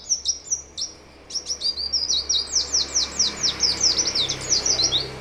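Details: White-eye, described as lively and singing without doping, delivering a rapid, high-pitched twittering song: thin whistled notes open, then dense descending chirps tumble on for about three seconds.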